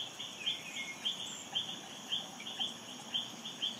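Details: Olive-backed flowerpecker of subspecies parsonsi feeding its offspring in the Philippines in May 2022, recorded with a camera. It gives sharp, high, clicking ticks about every half second over steady insect-like hissing.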